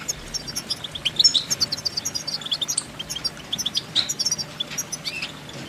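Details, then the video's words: Goldfinch song of rapid, thin, jingling chirps and short trills at a fast, even pace, slightly veiled by constant background hiss. "innovative Ways To impress The Goldfinch With Bird Melodies"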